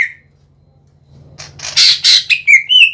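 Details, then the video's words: Greater green leafbird, a gacor singer used as a lure: a single whistle, a quiet gap, then harsh noisy bursts followed by clear slurred whistled notes. "PANCINGAN CUCAK IJO GACOR BUAT IJO BAHAN,IJO TROTOL,IJO OMBYOKAN AGAR RAJIN BUNYI"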